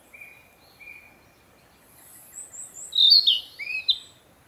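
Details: A male Narcissus flycatcher, newly returned from the south to breed, sings to proclaim territory: two thin, level whistles, then a quick run of very high notes and a loud burst of rich, varied, sweeping phrases.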